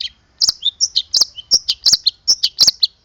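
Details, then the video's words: Long-tailed shrike from Boja producing isian, copied fill-in sounds including strange ones: loud, rapid, high chirps and slurred whistles mixed with sharp clicking strokes, closely packed. "Cendet lokal Boja ada isian suara anehny"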